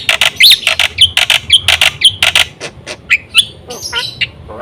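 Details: Black-winged myna in varied gacor song, played to entice other mynas: harsh squawking bursts alternating with sharp whistled inflections, then a few twisting squeaky notes.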